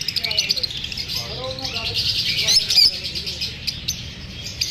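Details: Lovebirds uneasy at being filmed produce rapid, irregular high chirps, several per second, from many birds at once, with a louder cluster of sharp notes near the middle.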